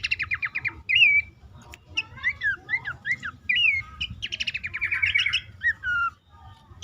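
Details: Horsfield's babbler calling as a lure for stressed or silent caged birds, suited to dawn or night: short buzzy trill bursts broken by loud upslurred and downslurred whistles, ending on a falling whistle.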